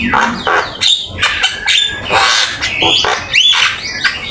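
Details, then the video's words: Javan myna song for bird training, with full isian fills. Harsh rasping bursts repeat about twice a second, broken by a couple of clear upward-curving whistles, recorded with Open Camera. "Suara jalak kebo gacor !! Full isian ,masteran asik"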